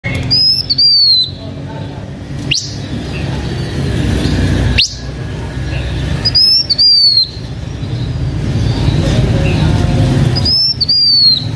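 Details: Blue-winged minla giving decoy song, kept by a H'Mông owner: thin high whistled phrases that slur downward, repeated three times about every four to five seconds, with two sharp rising sweeps between them over a steady low rumble.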